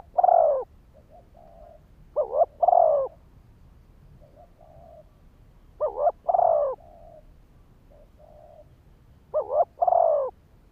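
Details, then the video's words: Decoy spotted dove cooing to provoke wild males into answering. Four low phrases come at uneven gaps of two to four seconds. Each has a short doubled note, a long swelling coo, then a quiet fading tail. "Tiếng chim cu gáy kích bổi"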